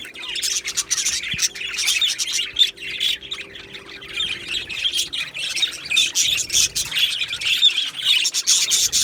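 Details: Australian budgies chirping together in an aviary colony on 15 July 2025, a dense stream of high, scratchy chirps and short squawks rising and falling in loudness, with a faint steady low hum.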